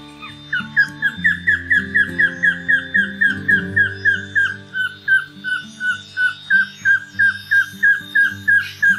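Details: Lafresnaye's Woodcreeper song in the Amazon, a song heard in late afternoons; a long, steady series of clear whistled notes, about three per second, drifting slightly lower, over soft background music.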